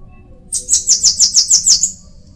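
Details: Bananaquit delivering a brisk, even train of about seven very high, wheezy, down-slurred notes ending in a faint buzzy tail.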